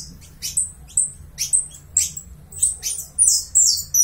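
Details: Song of a Uruguayan saffron finch. Spaced, crisp, high chirps about half a second apart lead into a dense burst of rapid, tinkling notes at the end.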